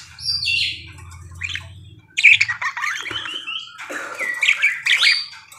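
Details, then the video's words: Parakeet singing actively: a busy run of scratchy squawks, chirps and short warbled notes in bursts, with a low hum underneath during the first two seconds, then louder, denser chatter. "BURUNG PARKIT GACOR CANTIK"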